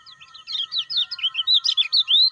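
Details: Lemon-bellied white-eye (kecial kuning) lure recording, played to stimulate caged birds into calling: after a quiet half second, a rapid run of high, chirpy, sharply rising and falling notes, about a dozen in under two seconds, over a faint steady hum.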